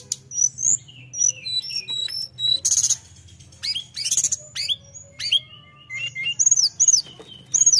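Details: Varied high song of a tledekan, sung nonstop to stir up rivals: scattered thin whistles, two harsh broadband bursts, and sharp downslurred notes near the end.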